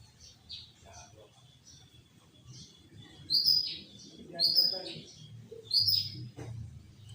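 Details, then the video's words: Sooty-headed bulbul in loud, lively 'gacor' song with 'tembakan' shots, used as a lure to trap other bulbuls: short bright whistled notes rising and falling, loudest bursts about every 1.3 seconds over faint chirps and low background noise. "Pancingan Burung Kutilang Gacor Full Tembakan"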